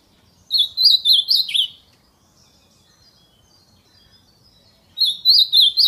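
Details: Ultramarine grosbeak in the wild, singing in the 'canto fibra' song style: a quick warbled phrase of high, slurred, partly descending notes lasting over a second, then quiet, and a second similar phrase starting near the end. The background is calm.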